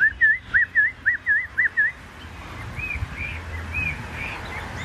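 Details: Caged Chinese hwamei with a fanned tail singing a series of seven clear, looping whistled notes in quick succession, then quieter, fainter whistles trailing off against soft low background noise.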